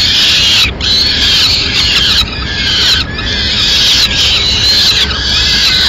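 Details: Madrid peregrine falcons, 29 April 2016: the mother arrives with food for the chicks. Loud, grating high cries pour out in long runs, briefly cut off about every second before resuming.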